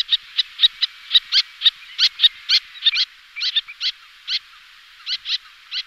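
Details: Little terns in display flight, two pairs together, giving a steady stream of shrill, clipped notes about two per second, several birds overlapping in a busy, excited sequence.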